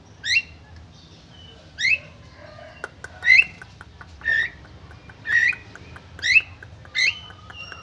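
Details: Javan myna calling nonstop after bathing, answering other mynas: harsh, squawky rising notes with a bright, ringing edge, about seven in eight seconds at irregular gaps, over a low steady hum.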